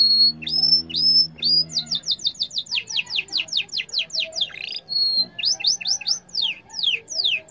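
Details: Yellow canary in full song: rising whistles, then a long fast series of sweeping downslurred notes, a brief buzzy burst, a steady whistle and more quick sweeps; a low droning hum briefly underlies the opening.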